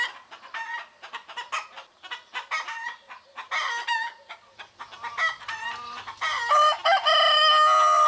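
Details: Roosters, hens and turkeys in Greek countryside in the morning; dense, rapid clucking and chattering calls overlap for several seconds, ending in a louder sustained, tonal crow-like note.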